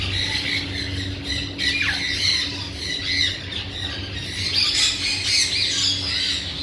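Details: Raspy parrot squawks pour out almost without break, a few sharp downward-slurred shrieks standing out, above a faint steady low hum.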